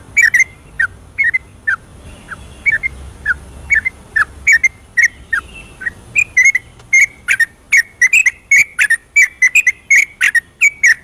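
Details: Long 'ropelan' song sequence of a vigorous yellow-vented bulbul at night, played to stimulate lazy bulbuls to sing: continuous short whistled phrases with varied slurs, spaced evenly at first, then packed closer and quicker toward the end.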